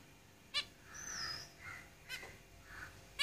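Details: Three nasal beeps from caged zebra finches, separated by a drawn-out high whistle and soft buzzy murmurs.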